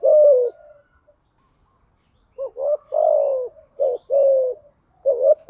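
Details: Spotted dove lure recording, with female-dove coos used to draw in other doves in the 'thúc gù' and 'gáy gọi' styles. A lone low coo, a pause, then a run of stuttered, falling coos with one short final note.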